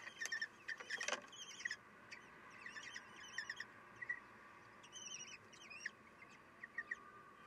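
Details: Common kestrels at a nest on 3 June 2021 at 9:12, female feeding her chicks and shifting position to reach all the young; faint thin squeaky chirps repeat irregularly, mixed with soft clicks and rustling.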